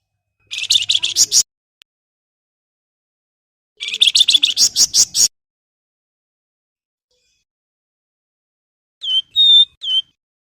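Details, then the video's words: Flamboyan singing gacor for training and luring lazy birds into song, with long shots, rattling nyereces and whistles: two bursts of fast, harsh chattering notes a few seconds apart, then three short clear whistles near the end. "Suara Istimewa Siulan Flamboyan buat Pancingan maupun Masteran"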